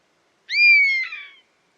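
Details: Clean recording of a buzzard's mewing call. The note is high and slurred, falling gradually over almost a second and ending with a rough, buzzy edge.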